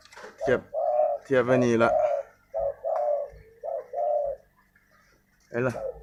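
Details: Spotted dove kept as a decoy bird, giving soft low coos in short separate notes, with a man's voice talking over parts of it.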